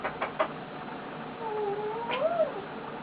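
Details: A pet male eclectus parrot lying on his owner makes soft, wavering tonal murmurs: a drawn-out low note, then a brief rising-and-falling whistle, preceded by a few faint clicks.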